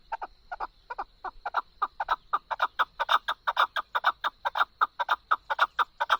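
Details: Chukar partridge calling, recorded as a beautiful voice for hunting: steady, loud, hoarse chuk-chuk notes, often paired, repeated about twice a second throughout, with no other clear sounds.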